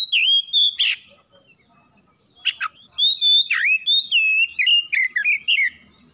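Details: Domestic Oriental magpie-robin singing sustained clear whistles broken by raspy notes, then a rapid sequence of rising and falling whistled phrases, on a quiet background.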